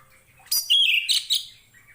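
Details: Brief Orange-headed thrush song phrase, used as a master recording for tutoring other songbirds: a sharp opening note, then a bright whistled slur and two quick squeaky accents, fading out within a second.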